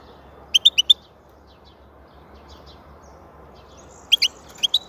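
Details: European goldfinch giving two crisp phrases of four quick, high, bell-like notes each, separated by about three seconds of near silence.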